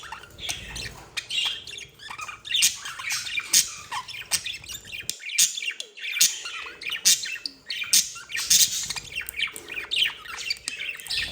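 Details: Budgerigar pair in love keeps up busy, scratchy warbling mixed with clicking ticks and piercing chirps, nearly continuous for the whole stretch.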